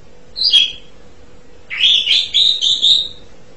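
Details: Asian pied starling giving one short whistled note, then after a pause a longer rising, warbling phrase with rapid notes and a buzzy edge, over a faint constant hum.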